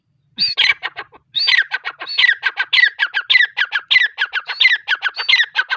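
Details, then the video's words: Female grey francolin calling after a short silence: a long rhythmic string of squealing notes each followed by several quick clipped notes, repeated at an even, rapid pace. "Teetar sound | teeter voice"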